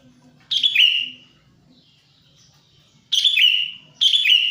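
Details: Sooty-headed bulbul lure call used to draw in wild birds and to prompt silent bulbuls to sing: two harsh, buzzy, downslurred chirp bursts, the first near the start and the second after a long pause, then a quick double.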